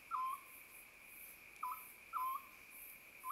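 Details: Oriental scops owl in an acacia tree behind a mountain-village house before dawn in early summer, giving short, low hollow notes that dip slightly, repeated unevenly about every half to one and a half seconds, over a steady insect drone.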